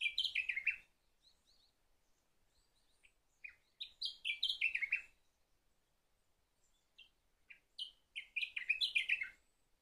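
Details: Sakhalin grasshopper warbler repeating its short song about every four seconds. Each burst is a rapid string of bright, falling, slurred notes. A few softer single notes fall between phrases, and the background is otherwise quiet.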